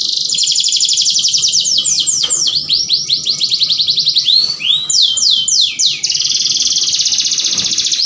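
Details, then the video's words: Mating-lure canary song: a bright, rapid rolling trill leads into a series of looping, down-slurred whistles repeated several times, then settles into another long, even, high-pitched roll. "PANCINGAN KENARI KAWIN AMPUH TERBARU ! KENARI APAPUN LANGSUNG GACOR MINTA KAWIN ! BEST CANARY VOICE"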